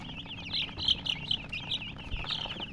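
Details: Baby chicks, said to be coloured, chirping close by: loud, clear high peeps in quick bursts, some brighter calls rising above the chorus, little background noise.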